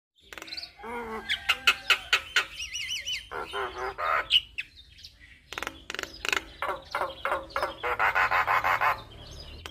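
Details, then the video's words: Javan myna in full, vigorous song packed with varied material: rapid runs of harsh clicking notes, short buzzy bursts, and looping whistles, delivered in quick, uneven phrases with brief pauses. "Jalak Kebo Gacor Full Isian Sekali Putar Semua Jalak Bakal Nyaut"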